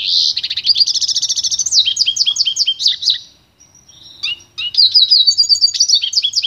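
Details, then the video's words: Pintagol, a goldfinch × canary cross, in pure training song: a fast run of rapid repeated chirps forming a rattling trill, a short pause with a thin whistle, then another quick trilled series. "canto puro do pintagol"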